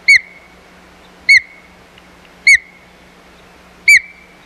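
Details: Osprey at the Hog Island nest, 4 May 2020, fighting over the nest: four strong whistled chirps about 1.3 seconds apart, each dropping in pitch with a drawn-out tail, over quiet background hum.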